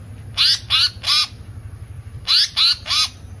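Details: Harsh scratchy chattering notes from a pied fantail, called seriwang or tali pocong, used to lure birds: two groups of three buzzy calls, each group under a second, separated by a short quiet gap.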